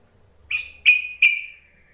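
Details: A yellow-vented bulbul call meant to lure other bulbuls into singing. Three sharp, bright whistled notes come in quick succession, each with a short falling tail, and the last fades away slowly.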